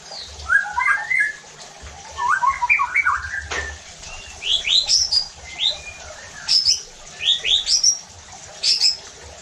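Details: White-rumped shama provocation song used to push other shamas to sing loudly; clusters of quick chirpy phrases, very high sharp notes and a click-like burst, over faint low hum.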